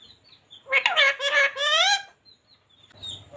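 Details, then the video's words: Parrot talking: one burst of high-pitched, speech-like syllables with strong harmonics lasting just over a second, framed by faint high whistles and a quiet rustle at the end. "parrots talking"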